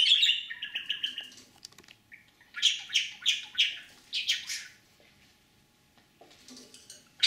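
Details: A talking caged budgerigar mimics learned words such as "my dear father", "daddy" and "sweet bird" in a high, scratchy voice, with fast runs of clipped notes in short bursts and brief pauses between them.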